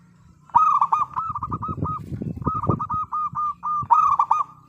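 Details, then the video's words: Local zebra dove used as a lure for other doves: two bursts of rapid, bright coo notes over a steady low rumbling background. "Perkutut Lokal Gacor Suara Paling Ampuh Untuk Pancingan Burung Perkutut Agar Bunyi"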